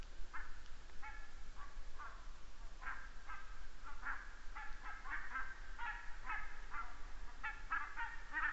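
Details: Many geese flying over a red deer webcam site in Estonia on 29 September 2015, giving bursts of nasal, honking calls in ragged overlapping series through the clip, some louder, against a steady low background rumble.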